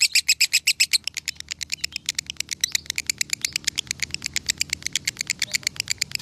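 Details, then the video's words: A 'konslet'-style lovebird from Salatiga, Indonesia, reported to have scored 8400 points, delivers a dense run of rapid, clicking, high-pitched chirps. The run is loudest at the start, then continues evenly in a fast, rattling rhythm. "Masteran Lovebird Konslet ASLI Tembus Poin 8400"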